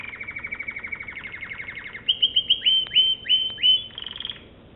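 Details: American Singer canary singing: a fast rolling trill of even notes near the same pitch, then a run of loud rising whistled sweeps repeated about every third of a second, ending in a brief buzzy roll.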